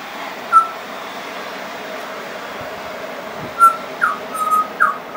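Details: Pied butcherbird in a long singing bout that includes mimicry: sparse clean whistled notes, a lone note early, then a cluster of rising slurs and flat whistles near the end, over steady background hiss and faint high chirps.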